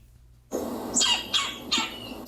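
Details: A backyard woodpecker's voice, not pecking: three sharp, harsh, high call notes about a third of a second apart, after a soft rushing start.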